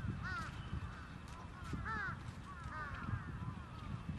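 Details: Trapped crows call in short bursts of harsh, downward-arching caws, three groups spaced about a second apart, over a constant low background rumble.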